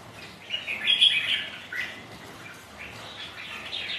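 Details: Sparring red-whiskered bulbuls, kept rival birds, on a rainy day with wind; a loud burst of slurred whistled notes early on, then quieter overlapping chirps trailing off, with constant soft hiss behind.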